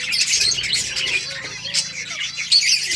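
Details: Colourful budgies chirping as they play in a colony, August 25, 2023; thick high chattering from several birds with a few harsher squawk-like notes.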